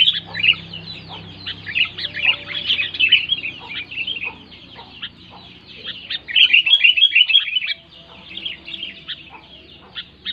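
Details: Sooty-headed bulbul in loud song, aimed at getting quiet bulbuls singing: rapid chattering trills and chirps, a lull just after the middle, then a lively renewed burst.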